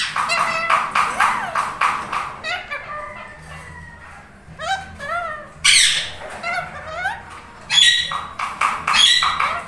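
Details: Pet Indian ringneck parrots, a lutino and another bird, bonding and talking; dense chatter of rapid harmonic chirps and falling notes, with loud raspy squawks bursting out near six and eight seconds.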